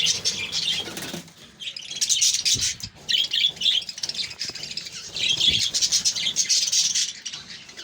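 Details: Colony of caged budgies warbling and chirping in overlapping bursts, the high chatter pausing briefly after the first second, then returning in lively waves with occasional thuds.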